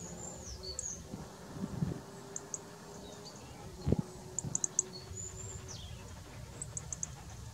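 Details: Eurasian goldfinch singing: sparse, very high thin notes, short sweeping whistles and quick clustered ticks, with a few dull low knocks and steady low background rumble.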